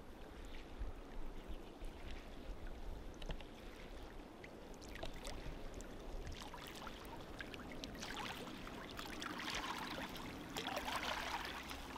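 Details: Water sloshing and splashing against a boat, with a low rumble underneath and no clear animal calls.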